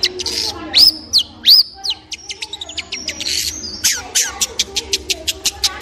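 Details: Long-tailed shrike singing: a few loud whistled downslurs and arched notes, then a run of sharp, dry clicking ticks that quicken toward the end.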